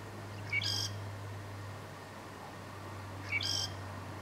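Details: Southern grey shrike in north Lanzarote in October 2018: a short high note followed by a harsh, buzzy, rasping burst, given twice about three seconds apart, over a steady low hum.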